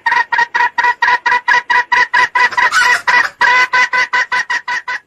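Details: Lure call of red junglefowl for trapping cock birds: a steady, unbroken stream of around two dozen short, strident clucks, several each second, staying loud throughout.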